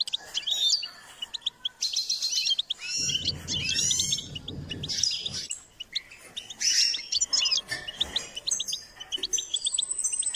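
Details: Singing goldfinch, trained to sing: a long run of high, tinkling twitters and buzzy trills with brief pauses between phrases. A low rumble comes in partway through.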